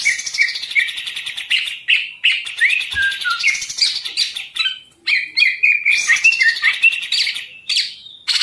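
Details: Vigorous green leafbird song from a caged contest bird: rapid chattering trills, whistled slurs and sharp high notes, broken by brief pauses.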